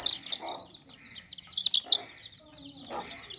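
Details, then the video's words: Baby chicks in a tokri, a woven basket, peeping in quick high thin chirps, many overlapping, with low broadband bursts in between, possibly hen clucks or handling noise. "Baby Chicks Chirping Sounds In Tokri | Chicken's Chicks Sounds and Chickens Clucking Sounds"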